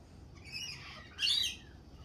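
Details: Lorikeet in spring: a thin, raspy call followed by one loud, grating screech lasting about a third of a second, high-pitched and harsh, over a quiet background.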